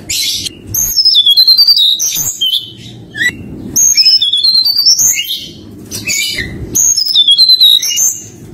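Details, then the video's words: Forktail from mountain country, used as a lure to provoke a rival: clear whistled phrases, high and sliding, some notes stepping down, in bursts about every three seconds with short pauses between; low background hum and music underneath. "pancingan tledekan gunung nyuling memanggil lawan"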